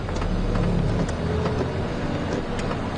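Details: A steady low engine rumble from a vehicle, with no animal calls audible.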